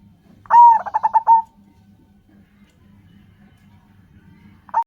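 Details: Local zebra dove calling, used to encourage other doves to sing. One full phrase of a long opening coo and a quick stuttered run of five notes, then the start of the next phrase at the very end. Faint low hum.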